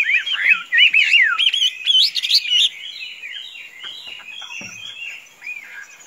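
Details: Bright, twisting whistled phrases pour out in quick succession from a tame Chinese hwamei that can be let out without flying away, loud for the first three seconds and then fading to softer warbles.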